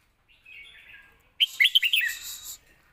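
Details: Red-whiskered bulbul giving a competition-style point-scoring song for training young birds: a quiet warbled lead-in followed by a quick, loud run of five or six bright, bouncing notes.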